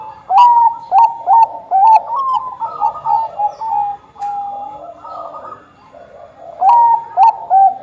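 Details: Bangkok-type zebra dove singing strongly: a rhythmic series of clear, bouncy coos, a held note midway, a quiet gap, then another loud burst of coos.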